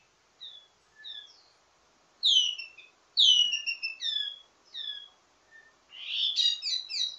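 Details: Wambi mini ledekan teasing song with varied phrases, for training same-kind birds: soft downslurred whistles, loud sweeping falling notes, then a dense buzzy trill at the end.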